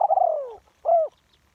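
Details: One-kuk style call of a spotted dove used as a ground decoy, recorded live: a drawn-out vibrating coo falling in pitch, then a brief rounded coo, over near silence.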